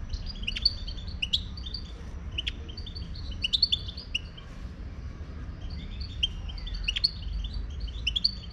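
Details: Wild Moroccan European goldfinch singing: bright, tinkling twittered phrases of quick high chirps and short buzzy notes, given in bursts every second or so over a steady low rumble of background noise.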